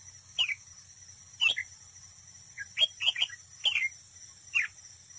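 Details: Decoy red-whiskered bulbul at a trap, singing competitively. Sharp, bright chirps and two-note phrases are spaced roughly every second. A steady high-pitched hiss sounds underneath.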